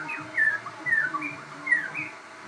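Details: Crossbred shama, a bird of hybrid breeding, singing: a few bright whistled phrases with slurred downward notes, separated by short pauses, over a low steady background hum.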